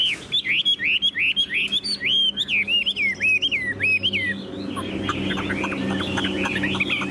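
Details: Chinese hwamei, a tame caged bird, repeats loud looping whistled notes about three times a second, then shifts into a softer, continuous chatter of high notes.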